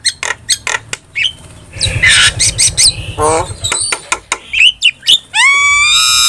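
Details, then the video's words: Starling singing vigorously, offered as tutor and lure song for caged starlings: mixed harsh squawks, clicks and rasping bursts, ending in a loud rising whistled note with rich overtones. "OCEHAN JALAK GACOR"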